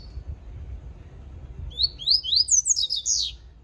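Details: Papa-capim seedeater singing in the mutuca song style. After a quiet start, a fast run of high, sharp, slurred whistled notes begins, descending and rising in quick succession. A low background rumble runs underneath.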